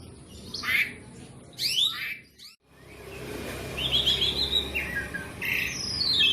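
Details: Caged Asian pied starling, black and white, singing continuously, with sharp rising slurs, a short pause, then warbled whistled notes that climb and hold.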